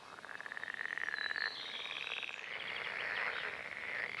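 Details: Red-necked grebe from a pair that mated in April and May and fed striped chicks in late May; a rapid rattling, pulsed call opens the recording, then gives way to longer wavering, drawn-out wails that grow louder toward the end.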